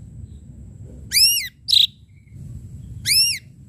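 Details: Ashy drongo delivering a sharp-striking lure song: two loud, rich, arched whistles separated by a short buzzy burst, all within a few seconds.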